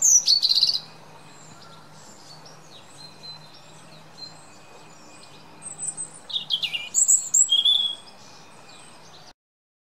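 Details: European robin singing: a short burst of high, thin, rapid twittering notes, then after a quiet gap of about five seconds a longer, varied phrase of high trills and sweeping whistles; little background noise.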